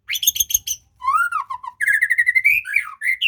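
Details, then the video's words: Shama song used to prompt a silent bird to sing, opening with rapid harsh buzzy notes, then a clear descending whistle and a long run of quick rattling trills. "Memancing muray males bunyi"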